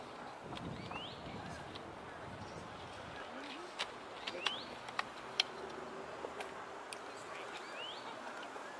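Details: A male European greenfinch, calling from a dead branch atop a holly tree beside the Long Water, gives soft, rising whistled notes, three spaced a few seconds apart, against steady background hiss with a few sharp clicks.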